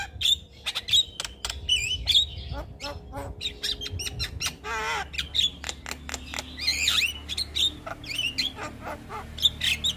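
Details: Javan myna (jalak kebo), a raw bird, in continuous vocal output, mixing whistled notes, scratchy squawks and clicks, with a brief wavering trill midway and a faint low hum beneath.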